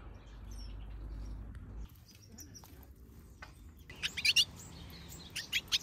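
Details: Outdoor aviary of mixed finches and softbills, quiet at first, then a quick cluster of sharp, high chirps and a few single bright tweets near the end.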